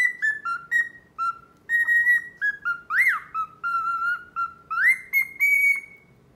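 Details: A male cockatiel whistles to win over a female that ignores him: steady strings of short, bright, slightly falling whistles, punctuated by two sharp rising sweeps and ending on a long held note.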